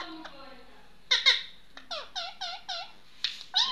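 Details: Talking pet Indian ringneck parrot indoors giving a string of short, nasal, down-curving chatter notes, about two a second, framed by sharper squawks at the start and end.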